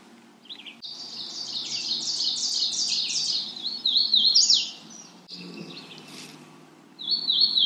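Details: Magnolia warbler calling: a long run of quick, high slurred notes, each dropping in pitch, delivered in a bright rolling phrase, followed after a pause by a shorter high trill.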